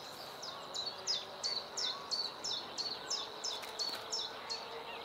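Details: Bluethroat singing early in the morning: a steady series of high, clear downslurred notes repeated about three times a second, with a faint continuous high hiss in the background.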